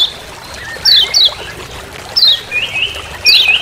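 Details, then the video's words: Lemon-bellied white-eye (kecial kuning Lombok) in forest, 'ciak ciak' master call: a few sharp high falling chirps, then short buzzy trilled notes, against continuous background hiss. "Masteran Kecial Kuning Ciak Ciak Di HUTAN"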